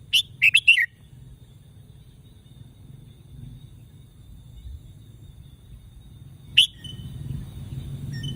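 Red-whiskered bulbul giving a quick burst of four bright, warbled notes, then a single loud chirp after a long pause, over low background rumble.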